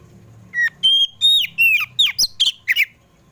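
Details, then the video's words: An Oriental magpie-robin of the poci type sings in the afternoon, a rapid, varied phrase of about eight clear whistled and sharp chattering notes, high-pitched and shifting, over faint background hum; used to prompt kept birds to sing. "KACER POCI RUMAHAN JENIS APAPUN PASTI IKUT GACOR NGEPLONG DENGAR SUARA INI"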